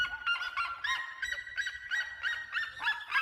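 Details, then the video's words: Red-legged seriemas in full song, loud barking yelps repeated about three times a second in a steady, overlapping rhythm, each note rich in harmonics, over a faint low background rumble. "O canto das seriemas"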